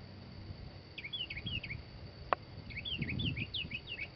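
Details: Northern mockingbird singing: two bursts of quick, repeated down-slurred whistled notes, each phrase a rapid series of looping chirps, separated by a short pause, with a single sharp click midway and low background rumble.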